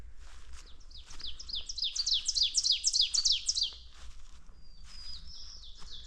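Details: Black-throated blue warbler singing on a clear, calm, frosty spring morning (12 May 2026, about 8–10:30 am, 3–12°C) in farm forest: a quick run of high, buzzy, down-slurred notes, then a thin whistle, with ovenbirds and other birds calling faintly.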